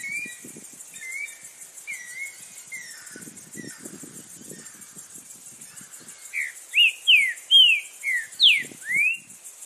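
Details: Green-winged Saltator (trinca-ferro) singing strongly in nature: a loud phrase of about seven rich, slurred whistles in three seconds, after softer distant whistles, over a steady high insect buzz.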